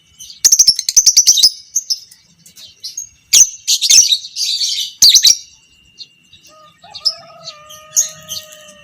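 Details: Fighter-type lovebird, violet parblue creamino, in long 'ngekek panjang' chatter meant to train other lovebirds: a fast stuttering series of sharp high notes, then buzzy chattering bursts, ending with fainter steady whistled tones behind.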